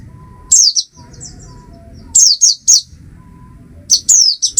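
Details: Small groups of high, thin, falling chirps from an Oriental white-eye, three short bursts separated by brief gaps, a faint low hum underneath.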